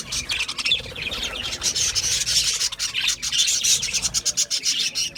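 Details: Budgerigars chirping in a dense, continuous chatter of high, scratchy warbles and short chirps, with rasping buzzy notes running throughout.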